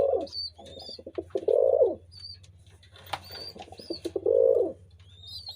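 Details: Deep, bubbling pigeon coos come in two strong swelling bursts with quieter pulsing coos between, backed by scattered high-pitched chirps, a sharp click and a low steady hum.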